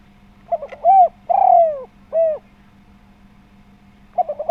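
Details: Spotted dove in full voice, used as a lure to prompt other doves to call: soft, rounded coos beginning with short stuttered notes, then a long falling coo and a brief arched final note, with a steady low hum behind.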